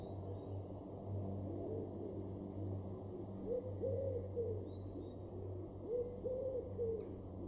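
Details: Common wood pigeon in a garden in Weener, East Frisia, in the far northwest of Germany, April 2021: soft, low, hoarse cooing phrases of arched notes, with two main phrases about two seconds apart. A steady low hum runs underneath, with faint high chirps from other birds.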